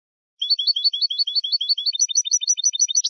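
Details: Rapid rhythmic Saffron finch song meant to teach captive birds: evenly repeated two-note chirps, roughly three per second, changing to sharper, thinner clipped notes in the second half. Clean background.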